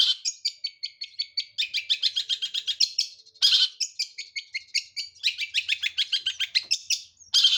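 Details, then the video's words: Singing long-tailed shrike holding one perch: long bouts of fast, grating, chattering notes and mixed warbled phrases, almost unbroken across the clip, with only one brief pause. "Burung Pentet gacor nagen satu titik"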